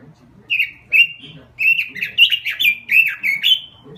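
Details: Energetic gacor song of a robin: two separate whistled notes, a pause, then a hurried sequence of clear, dipping and rising fluty phrases, roughly nine in a row; faint background rumble.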